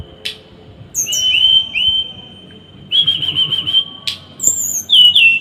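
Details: Small bird masteran with dense, harsh tembakan. A sharp tick precedes long wavering whistles, broken by another tick, then a rising high note and a dropping buzzy phrase.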